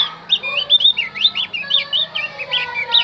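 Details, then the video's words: Javan grey-throated white-eye singing to attract wild birds: a lively, continuous string of high, slurred, rising-and-falling whistled notes, each note quick and chirpy, repeated about four times a second. "opior Jawa pasti nyaut pancing dengan Opior Jawa ini"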